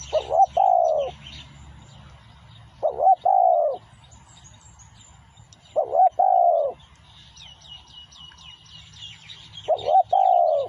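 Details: Spotted dove song played as a lure: a deep, throaty cooing phrase with a quick stuttered start and a longer trailing coo, repeated about every three seconds. Faint high chirps from other birds and a low hum sit underneath.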